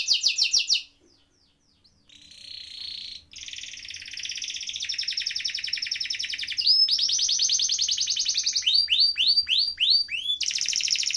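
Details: Canary rolling song: short high trill, a near-silent gap, then long buzzy rolls at a middle pitch, a brighter rapid trill, a run of quick sweeping notes and a final high trill.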